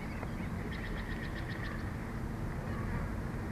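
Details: Female bald eagle at a Big Bear nest on a hot day, perched beside her panting mate, making soft chattering noises. A quick series of about eight faint, high chirped pulses sits over heavy low wind noise.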